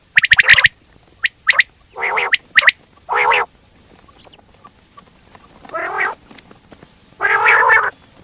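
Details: Common quail: quick sharp notes at the start, then several harsh buzzy rasping bursts separated by pauses.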